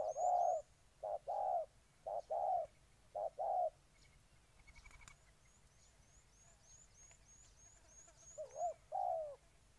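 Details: Spotted dove recorded in Ninh Thuận, Vietnam: a series of four soft coos, a pause with faint high twittering of small birds, then two more coos near the end.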